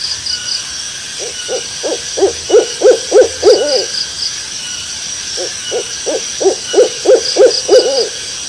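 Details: Owl uttering a series of short hoots, each rising and falling slightly, repeated about three times a second in two bouts that swell louder then fade, with steady insect hiss in the background.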